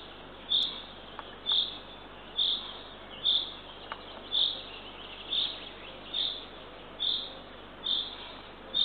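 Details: Eurasian eagle-owl owlet, the third chick, being fed by its mother at a nest-camera site in Northern Estonia at 6:21 am on 3 June 2023; short high raspy calls repeat roughly once a second over a steady hiss.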